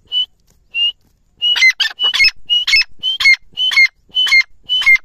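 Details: Grey francolin calling: two single high whistles, then a loud rhythmic run of paired phrases, each a whistled note followed by harsh, scratchy notes and a falling whistle, repeated roughly twice a second.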